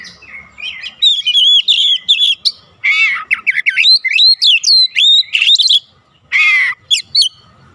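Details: Oriental magpie-robin song used to prompt responses from other birds at home: soft opening notes, then loud buzzy bursts and crisp whistled slurs, a short silence, and a few closing harsh notes.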